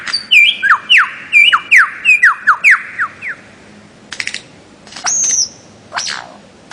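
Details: Bird-of-paradise song: a run of loud whistled notes, each sliding sharply downward, repeated about twice a second, followed by dry clicking bursts, one long high whistle that dips then rises, and a final descending slur.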